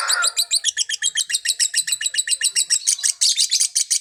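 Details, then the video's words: Lovebird in 'konslet' style song, a rapid string of harsh, high-pitched chips, roughly seven or eight per second, growing louder and raspier toward the end after a short low note at the start. "Masteran Love bird konslet"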